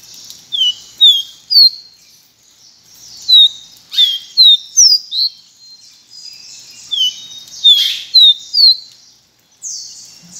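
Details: Pileated finch singing bright, slurred whistles that dip and rise, strung in short phrases of several notes. Brief broadband rustles break in twice.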